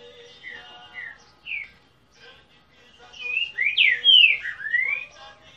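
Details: Ultramarine grosbeak (Cyanoloxia brissonii), a male singing at close range, gives a phrase of clear, slurred whistles that builds to a louder, sweeping finish.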